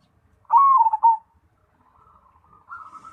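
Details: Zebra dove, Cemani variety, giving a single strong warbled coo that slides downward over about three quarters of a second, followed by soft, rising, bubbling coo notes.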